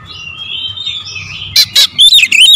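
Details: Magpie-robin (kacer) pancingan song, 'tembakan rapat' style: a soft, wavering high warble, then two sharp explosive notes and a quick run of loud, twisting whistles at the end.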